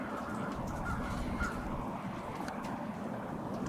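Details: Crows staging on Washington Street, Brattleboro, Vermont, on 16 February 2021, in winter: distant, rapid overlapping caws from the flock are half buried in heavy low urban rumble.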